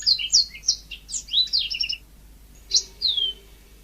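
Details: Yellow-fronted canary (mozambik) singing lively and naturally: a rapid two-second run of high, sliding whistled and twittering notes, a pause, then a short burst with a downward-slurred whistle; quiet background.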